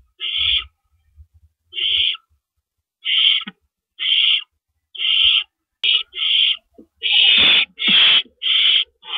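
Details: Owls at a nest in the early hours of April 4, 2012, while rabbits are carried in and out; a series of hissing screeches, spaced at first, then crowding into overlapping rasps near the end, with low thumps.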